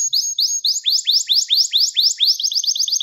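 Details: Gloster canary singing a training song used to stimulate males: a steady series of clear, upward-sweeping whistled notes repeated about twice per second, ending in a quicker run of shorter rising notes.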